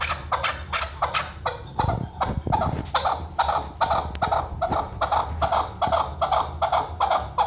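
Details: Chukar partridge, tagged as female, used as a hunting call, giving harsh, clucking chuck notes at about two or three per second, with a brief low rumble of wind or handling midway.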